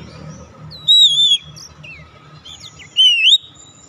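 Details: Oriental magpie-robin, played to draw a silent bird into song: two loud, drawn-out whistled phrases about two seconds apart, with faint chirps between and a steady low background hum.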